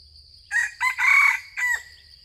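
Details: Yellowish junglefowl responding to a decoy gives a single harsh four-part crow, two short opening notes, a long loud middle note and a clipped ending, against quiet background.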